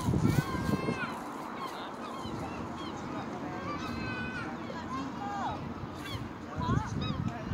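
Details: Young European herring gull recorded at Bognor Regis, giving rising and falling nasal mewing notes in quick succession, some sliding downward, with brief human voices at the start and end and a constant low hum behind.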